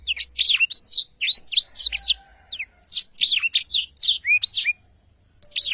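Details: Blackthroat with long rolling song: clusters of high, bright whistles and quick chirps, several phrases separated by short silences.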